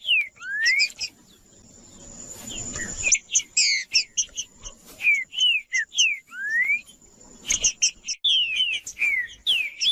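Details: Green-winged saltator song played to get quiet birds singing: rising whistled slurs and bright downslurred notes in fast bursts, a short break midway, a continuous high thin tone behind.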